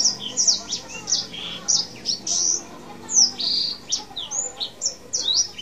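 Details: Tame male Black-throated canary in vigorous rolling song, delivering rapid high chips, slurs and brief buzzy notes in tight clusters with hardly a pause.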